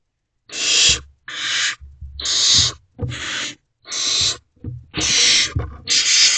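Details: Young barn owls compete for food in a nest box as the male arrives at night on 12 May 2023. Seven harsh hissing bursts of varying length, with soft low thumps between them.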